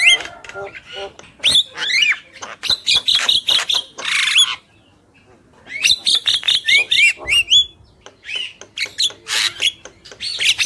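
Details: Black-winged myna pair, male and female, sings in loud bursts of slurred whistles and harsh chatter, with a pause of about a second in the middle before the chatter resumes.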